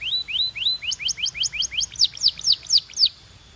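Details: Belgian canary singing a series of bright rising whistled slurs, about four per second, shifting midway into louder, sharper descending notes, clean and high-pitched against a quiet background.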